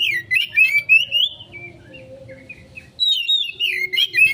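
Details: Oriental magpie-robin in konslet song, a lure for quick response: sweeping whistled phrases sliding up and down, a softer stretch midway, then a renewed run of bright rapid notes over a low background hum.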